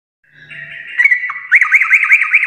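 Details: Sooty-headed bulbul (trucuk) in the "garuda" singing style: a soft buzzy lead-in builds into a loud series of quick repeated arched notes, closely spaced and bouncing.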